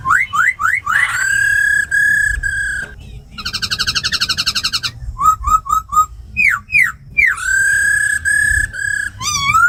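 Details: Laughingthrushes in captivity, female with rolling calls plus a tamed khướu mun singing forest style for rousing newly caught birds: rising whistles, a long tone, a fast buzzy trill and short repeated whistled notes.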